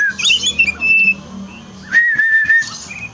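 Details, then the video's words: Oriental magpie-robin song played as therapy for a kept bird that has turned quiet after moulting: a few high twittery notes, then long, steady, clear whistles, over a faint low hum. "terapi kacer malas bunyi turun mental pasca mabung paling efektif"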